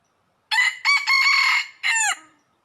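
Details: Red junglefowl crowing during trapping in Laos in early spring 2022: a loud, harsh crow in four bursts over about two seconds, with a brief gap after the first burst and a final phrase that drops in pitch. Otherwise quiet.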